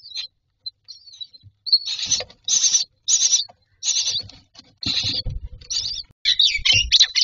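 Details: Myna chicks in a nest box asking for food: a series of harsh, hissing, high-pitched bursts roughly every half second, starting after a quiet opening with a few faint squeaks, plus low knocks and rustling in the box.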